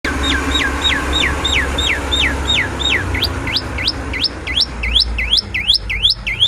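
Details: Black-collared starling in song: a long series of loud, upslurred whistles, each rising sharply, given about three per second over a steady low hum of background noise.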